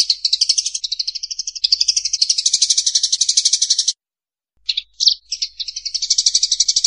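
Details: Eurasian tree sparrow fighting calls for training other songbirds: rapid high chirping chatter that rises slightly in pitch, then a half-second gap, a few sharp isolated notes, and the fast chatter resuming.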